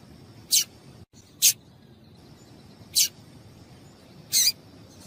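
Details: Female double-collared seedeater call for exciting a male: four short, bright, high-pitched chirps over five seconds, the last slightly longer and buzzier, with a steady faint high tone behind.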